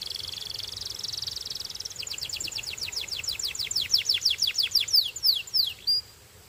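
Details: Belgian canary song beginning with a steady buzzy trill, then a series of loud, rapid descending sweeps that speed up and end in a sharp upward flick.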